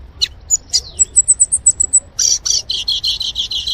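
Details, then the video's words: In the wild, a violaceous euphonia sings a quick run of evenly spaced high piping notes, then a series of buzzy, rasping chirps repeated about four times a second over faint background hum. "Gaturamo verdadeiro cantando na natureza"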